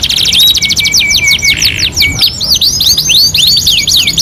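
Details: Canary masteran singing, two in one: rapid trill, a few long low steady whistles, then choppy, sweeping notes delivered fast and overlapping.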